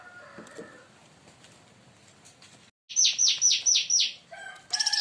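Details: Leafbird singing loudly, provoked by another bird and in front of palm sugar: after faint background sounds, a rapid run of six bright, high, slurred notes, then further sharp chirps.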